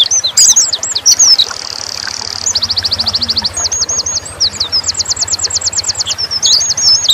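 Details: Dakun Oriental white-eye singing nembak: squeaky chirps, a short buzz, then long fast trills of crisp repeated notes and twisting whistles, with a low rumbling engine-like pulsing beneath.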